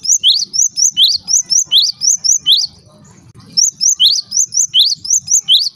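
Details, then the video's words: Java sparrow call meant to set other Java sparrows calling: bursts of high, sharp chirps about five per second, each a short rising note, with a brief pause midway before the chirping resumes. "cukup DENGARKAN SUARA INI, gelatik lain LANGSUNG RIBUT"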